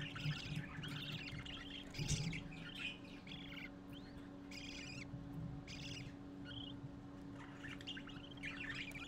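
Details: Young parakeets crowding together as their father arrives, late morning: bursts of raspy chirps and short squawks separated by brief pauses, backed by a constant low hum.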